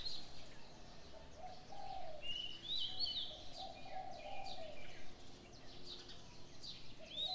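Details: Morning birdsong with mellow low cooing that rises and falls in drawn-out phrases, while bright whistled notes and quick chirps flick in above it against a faint constant hiss.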